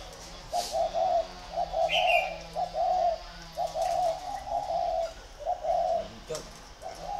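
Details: Spotted dove decoys, two birds competing, give a series of deep purring coos about once a second, with a short high chirp from another bird near the two-second mark.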